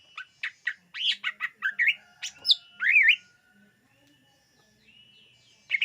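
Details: Greater green leafbird singing to lure birds: fast chirps and squeaky notes lead into a looping, wavering whistle, followed by a quiet pause and a final chirp.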